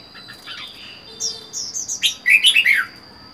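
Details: Lone caged red-whiskered bulbul, wild-caught four months earlier, sings soft chatter building into a loud, fast, rolling warble near the end; a steady high whine persists.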